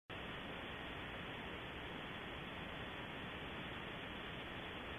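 Unbroken hiss of static noise, cut off sharply in the upper range, with nothing else heard.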